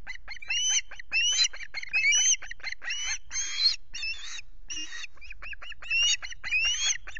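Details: Osprey at its Scottish nest at Loch Garten with chicks on 5 July, a fish delivery underway; loud, piercing, rising whistled yelps given in quick clusters, with short breaks between groups.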